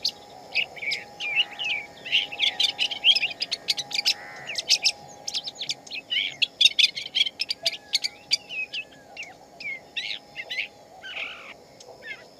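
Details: Shama singing in the wild: a lively, varied stream of high chirps, twitters and short whistles in quick bursts and pauses, over a faint steady low hum.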